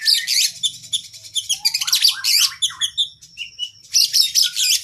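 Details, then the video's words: Oriental magpie-robin (kacer) in full 'gacor' song with long 'isian' fill, a master recording for training cage birds: rapid varied chirps, buzzy trills and descending whistled phrases running almost continuously, with a short steady whistle near the end. "Masteran Burung kacer Gacor isian Panjang Paling Ampuh"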